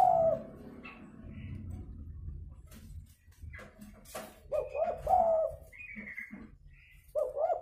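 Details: Spotted dove kept as a very vocal lure bird for trapping, giving short low cooing phrases at the start, around five seconds and at the end, with clattering and rustling noises between calls.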